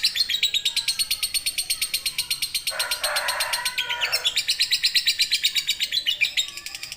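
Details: Lovebird giving a long ngekek panjang chattering trill, meant as a tutor recording for training other birds: rapid, evenly pulsed high shrill notes run throughout, briefly overlaid mid-way by a harsher, lower broadband rasping burst.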